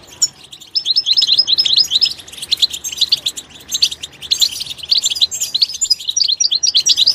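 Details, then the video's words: Goldfinch in its natural environment with an energetic, high chattering song of rapid twitters and slurred chirps, rising and falling in loudness throughout. "soothing nature sounds of the Goldfinch will make your bird sing"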